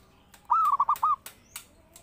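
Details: One zebra dove phrase, from a bird singing actively for use as a lure and training master: a stretched opening note then three clipped, rolling coo notes, followed by a few sharp clicks.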